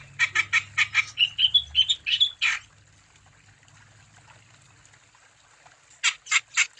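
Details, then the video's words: Wambi song intended to set other wambi singing: a rapid series of sharp, high chirps and rising whistled notes for under three seconds, a long quiet gap, then four more loud clipped chirps. "Burung Wambi Gacor Untuk Umpan Supaya Wambi Anda Tambah Gacor"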